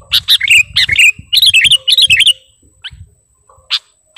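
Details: Sooty-headed bulbul of the kutilang garuda kind, calling to a rival: rapid clicking notes run into quick warbled whistles that jump up and down, then stop, leaving a few faint isolated notes.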